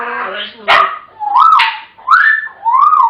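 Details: African grey parrots chatter in short, speech-like bursts, four phrases in about three seconds, with rising and falling inflections and a sharp click.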